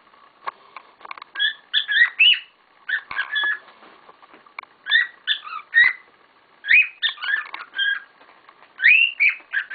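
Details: Several pet cockatiels kicking up a storm indoors: bursts of harsh, chirpy two-toned calls in quick clusters, separated by short quiet gaps.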